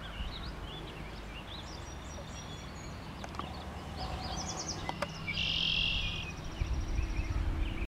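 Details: Red-winged blackbird in northern Michigan with scattered high chirps and a harsh, buzzy trill lasting about a second near the end, over steady low wind rumble.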